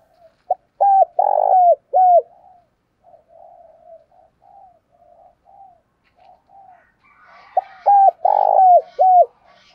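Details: Spotted dove giving a morning lure call to draw in wild doves: two loud, low cooing phrases of four or five hollow notes, the middle note long, separated by soft, quieter coos, with faint higher chirps near the end.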